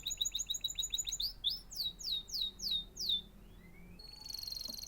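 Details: Canary delivering a fast high trill, then a series of loud downward-sweeping whistled notes about four per second, a short rising note, and a closing thin buzzy trill.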